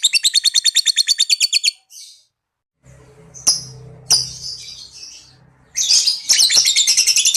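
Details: Lovebird giving the long 'ngekek' trill heard as a reply: a fast, harsh, evenly repeated rattle lasting nearly two seconds, then a pause, followed by scratchy chatter, clicks and a low hum.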